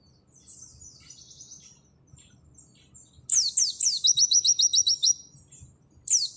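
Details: Oriental white-eye performing 'nembak' song: soft high twittering at first, then loud downward-sweeping whistles and a rapid string of sharp repeated notes, ending with another descending whistle.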